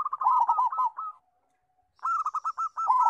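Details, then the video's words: Actively singing local zebra dove, valued for its loud voice as a song tutor: a dense tumble of rolling coos that fades out, a second of silence, then a fresh series of sharp repeated hooked notes. "PERKUTUT LOKAL GACOR (SUARA BESAR)"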